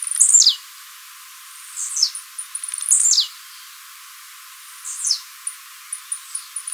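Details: Blue-black Grassquit performing Tiziu Mateiro song, recorded live for training. Quick, high, buzzy downslurred phrases come in a cluster, then a pause, then another. Dry high ticks fill the gaps.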